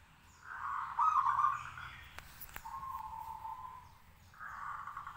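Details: Local zebra dove (perkutut), caged and singing freely to draw replies from other doves: a soft, rolling cooed phrase, then a lower steady coo, then another rolling phrase starting, over faint background hum.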